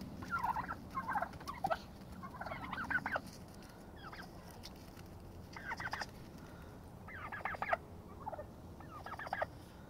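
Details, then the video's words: Turkeys fighting to establish dominance; rapid clucking and purring calls early on, then scattered harsh bursts and clicks from scuffling, over a low background drone. "Turkeys fighting"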